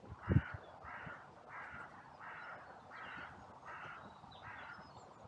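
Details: Crows at a cemetery on a sunny day, recorded by trail camera, in a massive outcry after two crows briefly fought and others rushed in: a steady series of about seven harsh, hoarse caws, one roughly every 0.7 seconds, after a dull thump near the start.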